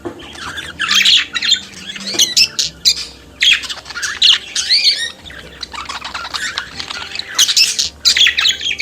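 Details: Pet budgerigar singing and chattering with a rapid mix of harsh squawks, rising whistled notes and grating warbles, delivered in busy bursts with short gaps.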